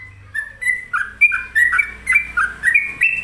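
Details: Sooty-headed bulbul (trucuk), described as gacor, or singing vigorously: bright whistled notes slurring between higher and lower pitches, given in quick bursts of about two to three per second with short pauses, against a faint low hum.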